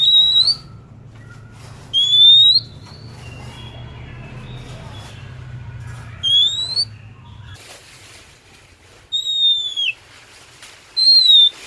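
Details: Kacer (oriental magpie-robin), described as singing persistently. Five loud, clean whistles, some flat, some falling, spaced a few seconds apart, with soft lower warbles and a brief noisy rustle between them.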